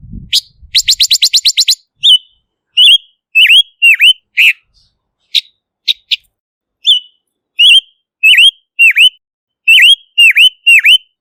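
A silver-eared mesia opens with a quick rattle of about nine notes, then gives bright, clear whistles that dip and rise, repeated in a lively series.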